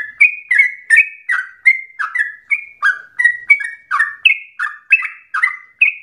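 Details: Yellow-vented bulbul singing as a lure for other bulbuls: a steady stream of short gurgling notes, bright then dropping, roughly two to three each second, nothing else audible.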